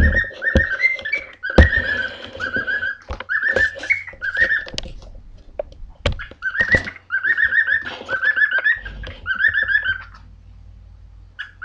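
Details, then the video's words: Two caged pet birds in a room, one whistling its song as it runs about while the other follows and knocks its beak on the floor. Repeated warbling whistled phrases in bursts, broken by loud taps and thumps. "Jimmy & Jasper whistling their song"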